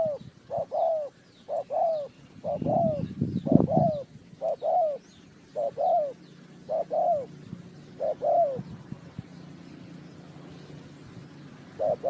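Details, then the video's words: Repeated cooing from a spotted dove used in bird trapping, Ninh Thuận: paired notes, a brief coo then a drawn-out downward-bending one, in steady series, broken by a loud rustling burst partway through, then quieter background. "The Sound Of the dove,The Sound Of Cuckoo Bird,เสียงนกเขาใหญ่"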